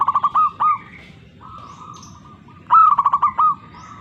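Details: Zebra dove cooing: a quick run of short staccato notes leads into a longer, slightly rising drawn-out coo, with the whole phrase given twice, over a low rumbling background.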